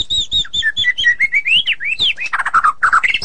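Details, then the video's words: White-rumped shama song, ngeplong and ngeroll styles: repeated bright whistled notes stepping downward and then up again, sweeping slurs, then gurgling rolled trills that finish on a rising whistle. "Murai ngeplong dan ngeroll super rapet"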